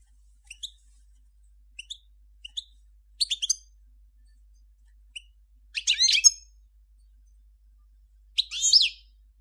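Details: Scattered thin chirps, several in pairs, lead into a few fuller twittering bursts from a Major-form European goldfinch, recorded in 2014, with quiet gaps between the sounds.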